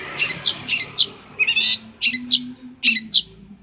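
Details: Champion long-tailed shrike from Banyuwangi, Indonesia, used as a master recording for training songbirds: sharp, scratchy high chirps in quick pairs and clusters, with short pauses between bursts and a faint low hum beneath.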